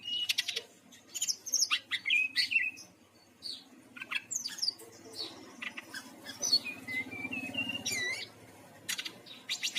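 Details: Lure song of a Bali brown-chested jungle flycatcher, meant to get birds singing. Bright chirps and sweeping whistles tumble quickly together, broken by buzzy rattles. A rising-falling whistled phrase near the end is followed by clicky notes.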